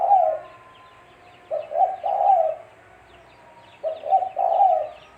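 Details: Lure call of the spotted dove, locally tekukur, for trapping: deep cooing phrases repeated about every two seconds, a quick double note leading into a sustained coo, light bird twitters behind.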